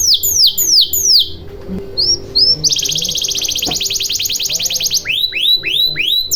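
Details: Lure song of a canary for stimulating silent birds to sing: descending whistled sweeps, short upslurs, then a long rapid buzzy high trill lasting about two seconds, closing with falling whistles; faint low hum and a brief click.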